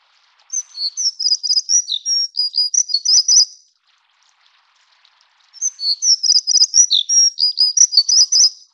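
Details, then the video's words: Plumbeous redstart (Taiwan endemic subspecies Rhyacornis fuliginosa affinis, found along low- to mid-elevation streams) gives a thin, high, scratchy jingle of rapid squeaky notes about three seconds long, repeated after a pause. "鉛色水鶇(紅尾水鴝)/Plumbeous Redstart"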